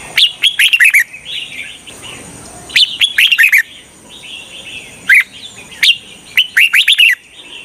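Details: Red-whiskered bulbul acting as a trapping lure, pouring out busy phrases of rapid, bright whistled notes that swoop up and down, with softer warbling between the louder bursts.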